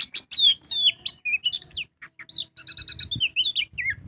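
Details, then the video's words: Oriental magpie-robin singing full ngobra, used as a lure to draw song from other birds: bright slurred whistles, high upward sweeps, a fast run of evenly spaced ticking notes, then more downslurred whistles. "Pancingan burung kacer gacor full ngobra"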